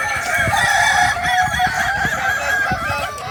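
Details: At a kukuak balenggek training in Ampang Kualo, Solok, several roosters crow steadily in overlapping, drawn-out tones, with soft knocks underneath.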